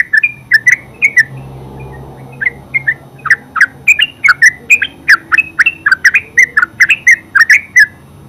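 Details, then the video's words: Yellow-vented bulbul in full ngeropel song, known locally as terucuk: fast, continuous chattering of bright bubbly notes, accelerating into dense repeated phrases, with a faint low hum underneath. "Terucuk full suara ngeropel"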